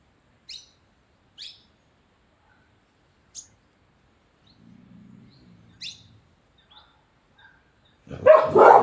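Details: Sunbird in Dehradun, Uttarakhand giving short, high, sharp chirps, single or spaced irregularly, with a low rumbling hum midway and a loud rustling, handling-like noise at the end.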